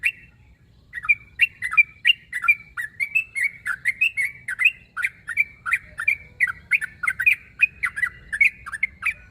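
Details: Sooty-headed bulbul summoning a rival: after a short pause, a long stream of chirpy, burbling notes dipping and rising, repeated rapidly and evenly for several seconds.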